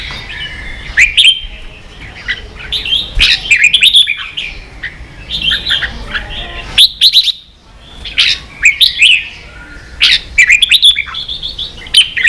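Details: Red-whiskered bulbul 'ché' song meant to train young birds: clear whistled phrases alternating with quieter stretches, punctuated by sharp clicks and bright bursts every few seconds.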